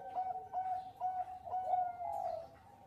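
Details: A Bangkok zebra dove, recorded as a lure to make other birds sing, gives a short series of mellow, steady coos with brief breaks, ending in a longer blurred note over faint hiss.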